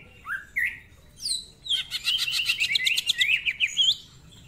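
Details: Greater green leafbird in full song, a lively caged songbird: a couple of short rising slurred notes, then a dense run of rapid buzzy, chattering phrases with mixed whistles and harsh notes.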